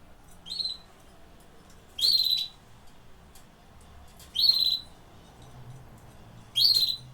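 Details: Canary giving four short, bright upslurred chirps, each about two seconds apart, with quiet room hiss between them.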